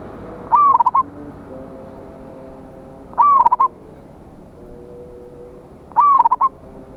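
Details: Zebra dove, local perkutut, singing a big-voiced rival-calling song: three identical cooing phrases about every 2.7 seconds, each a long note then quick stuttering coos, over faint background hum.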